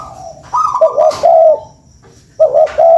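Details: Short bout from a spotted dove used as a lure: a higher soft note, then a broken coo and a long wavering coo, a pause, and the phrase starting again.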